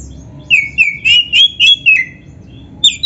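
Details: Oriental magpie-robin song used for training birds: a run of six loud rising-and-falling whistled notes about every quarter second, a short pause, then a sharp new phrase begins.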